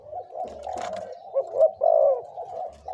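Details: Decoy spotted dove, two to three years old, prized for big, middle and small voices; a continuous low murmur of coos swelling into two louder rounded notes in the second half.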